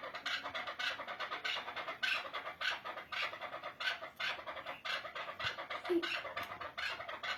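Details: Long sequence of chukar partridge calls: harsh chuck notes repeated about twice a second, pulsing on without pause.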